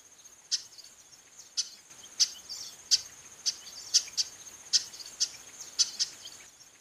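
Female chestnut-capped blackbird giving sharp, dry chip notes at uneven intervals, about one every half second, over a steady high insect hum.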